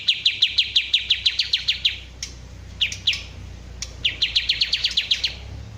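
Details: Kapas tembak bulbul delivering rapid strings of bright, high, staccato notes, each run about a dozen quick chips, separated by short gaps and isolated single notes; steady low hum underneath.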